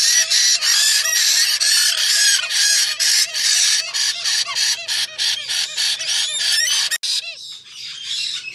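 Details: Continuous shrill, grating screeching from a white-bellied parrot for about seven seconds, broken into rapid pulses, then ending in a few quieter separate calls.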